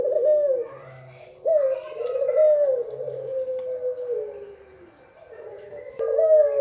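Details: Female white Barbary dove giving a call meant to excite males, long drawn-out rolling coos that sag slightly in pitch, one stretching nearly three seconds, a quieter pause, then another begins.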